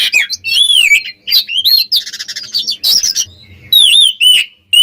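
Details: Oriental magpie-robin (kacer) singing to provoke rival birds: loud, varied whistled phrases with sliding notes around high pitch, bursts of buzzy chatter and brief pauses between phrases.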